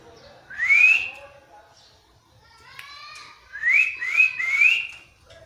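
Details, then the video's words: Parrot imitating a cat indoors, fairly soft: a single rising whistle, a faint downward glide, then three quick rising whistles in a row. "Parrot talking in cat voice"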